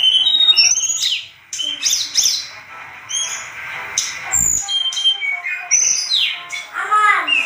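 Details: Agitated, actively singing Sunda robin on a tutoring track: bursts of high, fast, twittering whistles and upswept slurs, broken by short gaps and a low thump around the middle.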